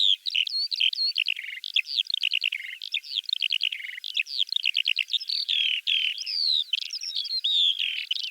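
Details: Continuous high-pitched warbling of a Eurasian skylark in Russia, dense runs of rapid chirps, buzzy trills and upslurred whistles pouring out without a break.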